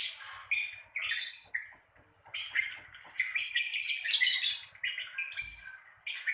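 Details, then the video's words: Lovebird ngekek recording for prompting beginner lovebirds to sing: a busy stream of shrill, buzzy chirps and squeaks, rising to a loud, dense rattle in the middle before breaking into shorter notes. "Pancingan Suara ngekek untuk lovebird Pemula"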